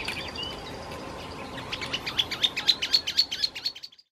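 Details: Dusky-tailed canastero calling in the foreground at Isla de Yáquil, Santa Cruz, O'Higgins region, in an area with many of these elusive birds in shrubby cover. A run of about ten sharp, high notes grows louder at roughly four per second, then stops abruptly.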